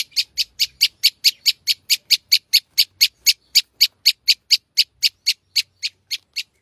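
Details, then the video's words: Lively long-tailed shrike with rich fill-in song, here giving a long even string of about thirty crisp, identical high chips at a quick steady pace, fading slightly toward the end. "cendet gacor isian mewah"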